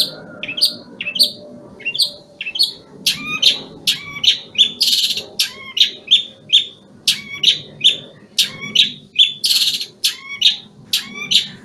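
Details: Long-tailed shrike, Banyuwangi type, in full song during moult: a fast, varied medley of chirps, harsh rasps and thin whistles, with a low murmur in the background.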